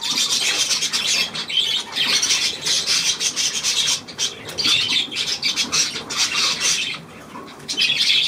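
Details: Budgerigars on 9 February 2024 produce rasping, high chattering in long bursts separated by short lulls, quick clicks and squeaks running together.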